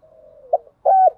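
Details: Spotted dove hen lure, played to stimulate decoy doves, in thúc gù and gáy gọi cooing styles; a long soft low hum drifts downward into a sharp brief note, then one loud steady coo after a short pause.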